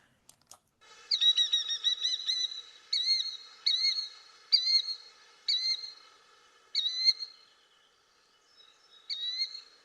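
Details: A Killdeer, a noisy plover nesting in human-modified habitats, gives its shrill, high, two-noted namesake call, repeated about once a second with slurred notes and brief pauses between bursts.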